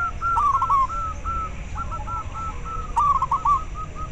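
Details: Local zebra dove voice used to stimulate breeding drive in captive doves and to lure them: soft, low cooing notes in short rolling phrases, each a quick stutter ending in a drawn-out coo, repeated over a steady background hiss.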